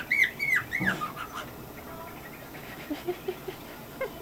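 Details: Pet cockatiel, a male, performing a funny chirp routine: a quick run of clear whistled chirps that rise and fall, several in the first second and a half, then only faint soft ticks in a quiet room.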